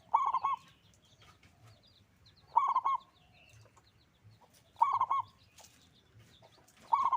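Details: Local zebra dove in loud, active song. Rolling, quavering coo phrases are repeated roughly every two and a half seconds, four in all. Faint twittering of other small birds fills the gaps.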